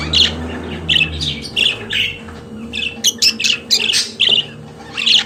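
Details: Pet budgerigar warbling: a stream of quick chirps, squeaks and buzzy notes almost without pause, with a constant low hum.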